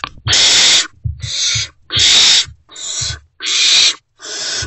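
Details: Great horned owl owlets in a nest box, hungry and calling at an adult's return in the early morning of 3 March 2024. Six loud, raspy hissing bursts come in under five seconds, alternating longer and shorter screeches.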